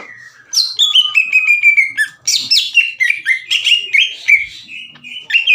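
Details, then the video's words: Caged greater green leafbird in loud, open, aggressive song aimed at rival birds. A long falling whistle gives way to a fast jumble of slurred whistles and rough chattering notes. "CUCAK IJO GACOR NGEPLONG DAN TEMBAKAN KASAR NGAJAK IJO LAIN TARUNG"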